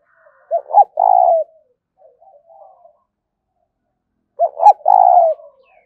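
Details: Spotted dove delivering its 'thúc' coo twice, about four seconds apart. Each phrase is two brief, low, bent notes and then a drawn-out burred coo, with quiet murmuring notes in the gap.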